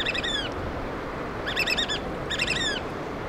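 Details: Black oystercatchers in the Pacific Northwest of Washington while feeding chicks: three bursts of rapid, shrill, descending piped notes, each about half a second long, over a steady wash of surf.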